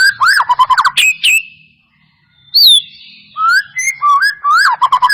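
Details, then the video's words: White-rumped shama responding to a lure played to make it sing; fast looping whistled phrases, a pause, a sharp high note, then mellow rising and falling whistles with quick twitters. "Pancingan murai batu mancet bunyi ‼️ pancingan murai batu males bunyi‼️respon cepat"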